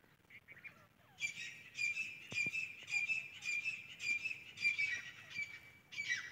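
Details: Grey francolin chicks, locally called teetar, giving thin, high peeping chirps in quick, fairly regular runs of about two per second, with a steady high tone underneath and a few soft clicks.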